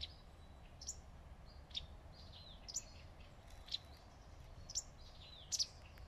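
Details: A wagtail perched on a branch in the shade of leaves calls with short, thin, high chirps. The chirps come about once a second over a quiet, steady background hiss.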